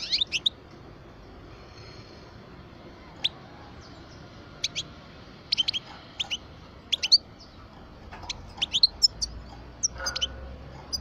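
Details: Parva European goldfinch, twelve years old, uttering scattered high sharp chirps that gather into denser twittering toward the end, with low rumbling noise in the background.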